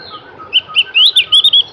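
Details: Javan grey-throated white-eye delivering a brief clear phrase of high whistled notes, a few single chips leading into a quick bright warbled flourish.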